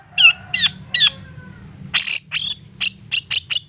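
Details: Long-tailed shrike used to provoke other shrikes into singing: three curved whistled notes, then a faster run of harsh, broad chattering notes over a low background hum.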